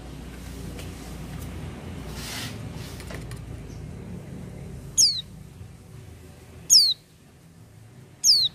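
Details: Oriental white-eye, locally pleci, singing actively without doping: three sharp, high chirps that sweep downward, spaced under two seconds apart, arriving after a few seconds of quiet low background rumble.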